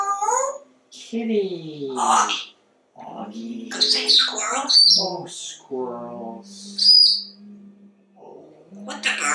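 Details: A very talkative pet African Grey Parrot talking non-stop: speech-like phrases with stacked harmonic tones, broken by short pauses and sharp high whistles and squeaks.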